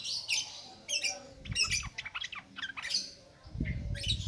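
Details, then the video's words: Lure song of a yellow-vented bulbul, ngropel ngalas style, for prompting newly caught birds: quick bright chirps and short warbled phrases in clusters, with some low thumping in the background. "SUARA BURUNG TRUCUKAN NGROPEL NGALAS COCOK BUAT PANCINGAN BAHAN"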